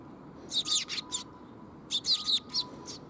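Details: Young sparrow recorded on 5 June 2021 at a water bridge in Japan: two bursts of harsh, broadband chirps, four or five notes each about a second apart, over steady low background noise.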